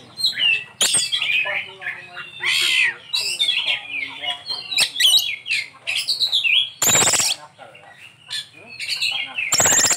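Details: An Oriental magpie-robin sings a rich, fast run of varied whistles, chatters and trills packed with borrowed phrases. Two loud rustling bursts like wing flaps break in.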